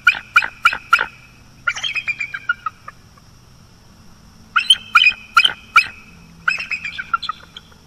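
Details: A bald eagle calls from its nest at night on Florida's northeast coast in October 2022. Sharp, spaced high chips are followed by a descending, giggling chatter. The pattern repeats twice more, over a constant high hum.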